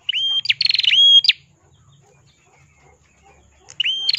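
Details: Ashy tailorbird (red-headed prenjak) singing vigorously, used as a master recording for training songbirds: sharp rising whistled notes ending in a high flick, with a rapid buzzy trill between, then a pause before the next phrase.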